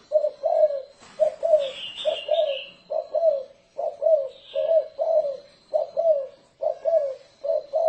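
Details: Decoy spotted dove call, 'thổ rền' style, for luring doves: rhythmic low coos in quick pairs throughout, with faint high chirping of other birds and a thin steady whine in the background.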